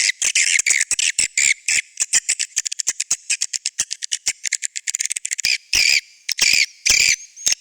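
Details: Edible-nest swiftlet call played to attract swiftlets: a rapid series of sharp dry clicks with short high twittering bursts between them and a few longer buzzy chirp phrases toward the end.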